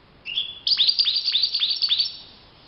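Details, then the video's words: Wild European goldfinch singing in open nature: a thin sustained whistle, then a fast liquid twitter of bright chirps with quick downward flicks, about one and a half seconds long. "chant chardonneret le Roi de la nature- Le chardonneret en pleine nature"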